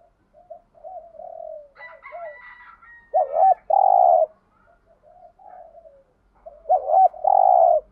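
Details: Spotted dove call set for stimulating other doves, including urging and calling coos. Soft low murmurs lead into a burst of loud, looping coos and a long purring note, repeated near the end, with a brief higher rasp midway.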